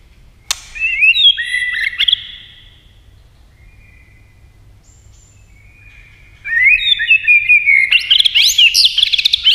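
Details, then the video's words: White-rumped shama in competition singing with many voices: a burst of rich, varied whistled phrases with quick upward and downward slurs, a pause of several seconds, then a louder, denser run of fast, high warbling notes. "kích chòe lửa hót đấu nhiều giọng"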